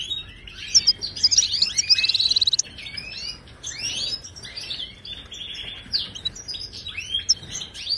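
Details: Wild Moroccan European goldfinch singing in the Ouidani style, used to teach caged birds. Rich, high twittering phrases with a bright, rapid buzzy trill near the start, then looser chattering notes and nasal slurs.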